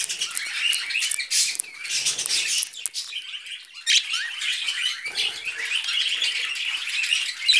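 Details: Pet budgerigars eating vegetables, giving continuous high chirpy chatter with warbling notes and short squawks, dense through the whole stretch with brief dips around two and four seconds.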